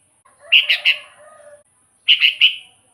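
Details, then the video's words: Two short bursts of three bright, bubbling Sooty-headed bulbul notes about 1.5 seconds apart, the first trailed by a softer low warble; recorded for luring wild bulbuls. "suara burung kutilang gacor full buat pancingan kutilang pikat"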